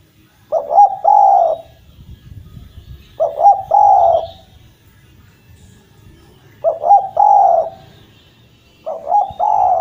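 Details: Vigorous Javan collared dove (derkuku jawa) song used as a lure and to make silent doves sing again: four low coo phrases repeated every two to three seconds, each two short hoots then a drawn-out coo, faint low rumble.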